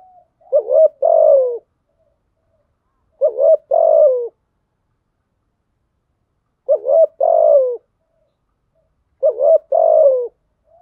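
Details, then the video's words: Spotted dove used as a lure bird to stimulate other doves into cooing: four low, mellow coo phrases, each a short note followed by two longer throaty coos, repeated about every three seconds in silence. "Tiếng chim cu gáy mồi thúc gù kích là gáy 100%"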